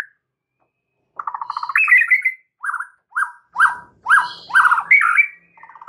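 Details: White-rumped shama song intended to start a silent bird singing: a buzzy rattled phrase rising into a whistle, then loud separate downslurred notes spaced about half a second apart.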